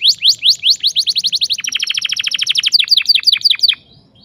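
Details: Canary sharp rolling song meant to help young canaries learn to sing: rising whistled notes speeding into a rapid trill, then a series of crisp downslurred chips before falling quiet.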